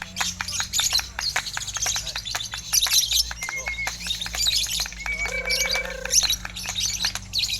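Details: Lovebird singing in a contest in West Sumatra, pouring out dense, rapid, high-pitched chattering trills and clicks, broken by a few thin, sustained whistled tones, over a steady low hum and faint voices.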